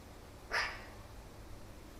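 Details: Eurasian magpie close to a camera set near its food gives one short, harsh, dog-like bark against a quiet background hum.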